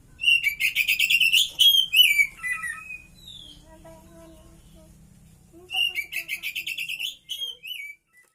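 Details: Oriental magpie-robin in full song with cililin-style phrases: a fast chattering run of high whistled notes, a pause filled by soft lower whistles, then a second rapid burst ending in a few clear notes.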